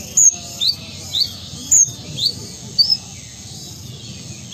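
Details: Ruby-cheeked sunbird, known locally as konin or kolibri ninja, a captive bird from Sumatra kept for contests and as a tutor bird, singing actively: thin, very high chips and short upslurred squeaks, about seven notes in irregular bursts.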